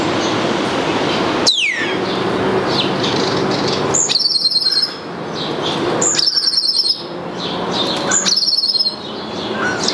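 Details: Starling at a nestbox in mid-May, imitating a ringing phone: bright electronic-sounding trilled bursts repeated about every two seconds, each opening with a sharp note, over steady background hiss and a whooshing sweep early on.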